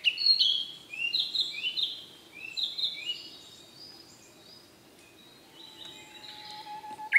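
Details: Male Siberian blue robin singing clusters of quick descending whistled notes, fading into softer scattered chirps and a thin steady tone.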